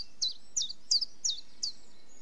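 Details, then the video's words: Five crisp, high chiffchaff notes in quick succession, each a short bright chip falling in pitch, spaced about a third of a second apart. "Chiffchaff Bird Call - Bird Song"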